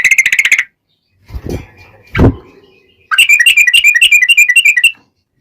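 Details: Male sooty-headed bulbul singing vigorously in fighting mode: a brief burst of bright chirps, a pause with low thumping knocks, then a long rapid-fire run of slurred whistled notes lasting about two seconds.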